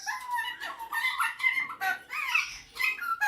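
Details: Pet male superb parrot kept indoors, singing and mimicking: continuous harmonic warbling with sliding, tonal phrases that rise and fall in quick succession, with no pauses.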